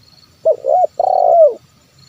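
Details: Spotted dove giving a 'kuk 1' style call used as a lure to make wild doves sing: one low cooing phrase, a short wavering double coo then a longer coo sliding downward, over a faint high steady tone.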